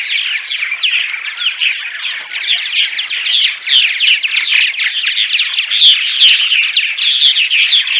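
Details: Several purple martins chattering by day, quick overlapping chirps and gurgles at roughly two or three notes a second, with brighter squeaky accents near the end.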